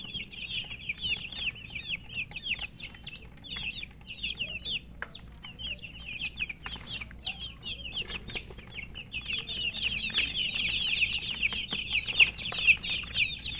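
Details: Thirsty baby chickens wanting water, many chicks calling together in a continuous high chorus of short, shrill peeps that thickens and grows louder toward the end, about two chirps a second standing out from the crowd.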